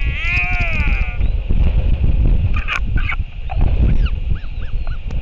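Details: Royal albatross at a New Zealand nest at dusk, 28 March 2023, the adult male back to feed the chick: a drawn-out wavering moan, then clicks and a few arched nasal notes, all over gusty wind.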